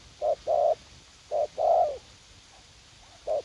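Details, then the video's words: Decoy spotted dove in a U Minh garden, a young bird eager to fight: two short-long coo pairs in quick succession, then a pause and a single short hoot. "Gác Cu Gáy / Bổi Tơ Háo Đá"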